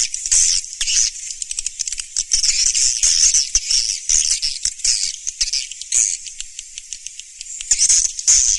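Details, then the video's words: Swiftlets, "Surya Mentari" sound: a continuous, crowded stream of high, rattling, scratchy chirps that rise and fall in loudness in irregular waves. "SUARA BURUNG WALET SURYA MENTARI TERBARU 2019"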